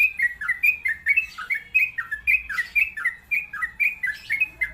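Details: Yellow-vented bulbul singing a string of short, bubbly notes near mid-high pitch, each dipping and rising, packed closely and repeated throughout with little pause; faint low hum underneath.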